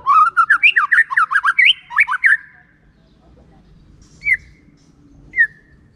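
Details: Clear 'ngeplong' lure song of a white-rumped shama, meant to stir lazy shamas into singing. A fast run of about fifteen rising whistled notes is followed by two separate single whistles spaced about a second apart.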